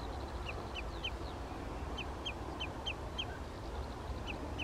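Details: Near Skoczów, Poland, 16 June 2021, adult and young common redshank: clipped descending whistled notes in irregular groups of two or three, with faint higher calls and a low rumbling background.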